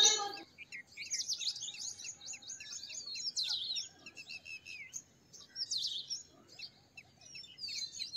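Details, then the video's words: Purple sunbird song at moderate distance: a busy jumble of high, quick chips and twitters, broken by short pauses, with a sharp click at the start and soft background hiss. "Purple Sunbird Songs - Purple Sunbird Sound - Purple Sunbird Call - Purple Sunbird Singing"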